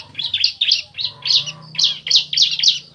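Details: A male and female bar-winged prinia call to each other in a lively series of harsh, high chirps, about three per second, with a faint lower tone and soft background hum.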